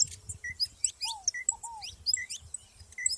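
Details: ['Wild saffron finches call together in short, bright chirps and upward-swept notes, with a mid-pitched curved whistle twice and low background rumble.']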